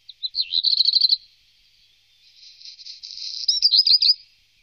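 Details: Song of a black redstart, Wittlich valley, Germany, 2018: an opening trill of quick repeated notes, followed by a rising crackling, scratchy passage and a final burst of clipped notes.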